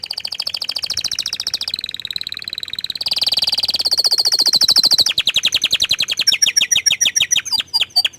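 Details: Orange frost canary singing a string of fast, even trills that change speed and pitch, ending in sharper, spaced chirps.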